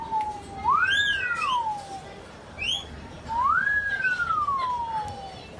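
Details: Pet Blue-fronted Amazon parrot giving two long, loud whistles, each sweeping up then sliding slowly down, separated by a brief high note; faint room hiss behind.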